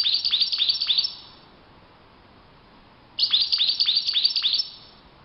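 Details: Goldfinch in the wild delivering two bright bursts of song, each about a second and a half of quick, sharp, downward-flicking chirps and tinkling twitters, separated by two seconds of quiet.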